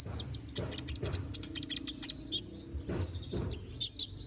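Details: Konin bird singing vigorously with full varied phrases, used as training song for magpie-robins: very high, thin chirps and sharp ticking notes in quick irregular bursts, with a pause near the middle before a fresh run of high twitters.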